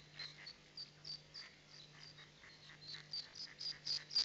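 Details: Mallard ducklings of the first brood emerging from a nesting tube in Plainfield, New Jersey, on 5 May 2021: a stream of thin, high peeps, about four a second, growing louder toward the end over a steady low hum.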